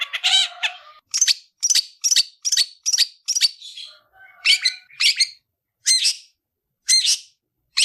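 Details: Long-tailed shrike fighting song for training: a quick string of scratchy, buzzy chirps, a brief lower whistled passage, then slower harsh notes about a second apart.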